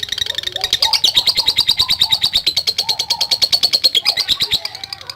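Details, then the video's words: Long ngekek chatter of a lovebird, played to provoke other lovebirds: rapid, shrill, rattling pulses pour out without a break, with faint lower chirps from other birds underneath. "Love Bird NGETIK Latah Gacor Ngekek Panjang"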